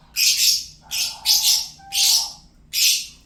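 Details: A lovebird kept as a pet gives five harsh, rasping bursts of squawky chatter spaced roughly half a second apart, with a faint low tone under two of them.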